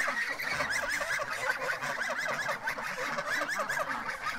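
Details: Several free-range domestic geese crowding around a man right after he picked one of them up, giving rapid, overlapping nasal honks many times a second throughout, forming a continuous agitated chorus.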